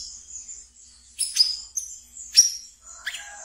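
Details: Captive brown-throated sunbird, ngeriwik song kept for luring and conditioning other birds: a steady thin high whistle broken by three sharp, bright downward chirps about one second apart.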